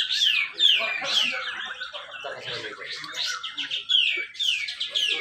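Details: Singing Grey-cheeked bulbul at a contest ground in Malinau, North Kalimantan, with close-set song used as a lure for birds that will not sing. Sharp descending whistles repeat about twice a second among busy chatter.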